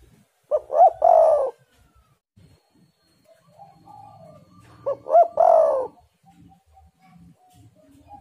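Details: Spotted dove repeating its cooing song to prompt other doves to sing: two phrases about four and a half seconds apart, each two short coos and one long, slightly falling coo, with soft rustling between.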